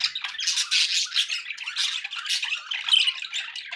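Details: Pet budgies keeping up an unbroken stream of rapid, scratchy warbles and harsh squawks, high-pitched and tightly packed with no real pauses, a brief clear whistled note near the end.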